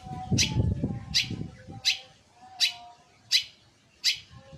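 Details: Long-tailed shrike, said to call actively day and night, giving a series of harsh, rasping, downward-sweeping notes about every three-quarters of a second over low rumbling background noise and a faint steady tone.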